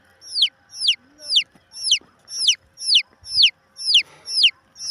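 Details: Chicken chick peeping: loud, high, downward-sliding peeps repeated about twice a second in a steady run, with faint soft background noises.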